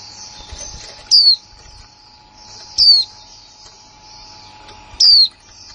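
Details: Female white-eye, new in 2020, sounding three piercing, high, falling whistled notes about two seconds apart in the 'líu' manner, with soft high twittering and a steady hum between.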